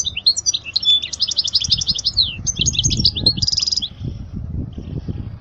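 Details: European goldfinch song meant for teaching young goldfinches, a fast, high, liquid twittering run with a brief buzzy trill near the middle, then fading away; faint low rumbling beneath.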